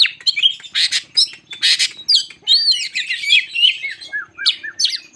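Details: Lure song of a White-crowned shama, meant to rile up other shamas: harsh rasping bursts early on, then fluid looping whistles and quick chattering notes delivered in a rapid flowing series.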